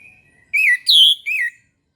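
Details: Orange-headed thrush morning song, used to get reluctant caged birds singing: a faint thin whistle, then a bold three-note phrase of slurred whistles with a high middle note and a falling end.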